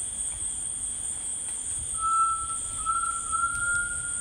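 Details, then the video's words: Rainforest tinamou giving a clear, pure whistle that starts after a quiet pause, breaks briefly, then resumes and holds a long, slightly rising tone to the end, over a continuous high-pitched insect drone. "The Singing Tinamou Tao"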